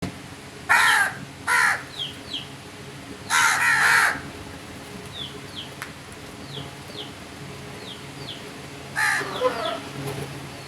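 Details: Crows calling: harsh, broadband caws, a double caw near the start, a longer drawn-out caw, then another near the end, with faint thin descending chirps of small birds in between and a low steady hum behind.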